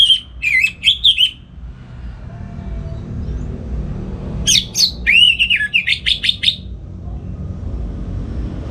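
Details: Morning ngeplong song of an orange-headed thrush from Singaraja, Bali, used as a tutor for other songbirds. Two bursts of clear slurred whistles and rapid chattering notes, separated by a quiet pause with faint low rumble.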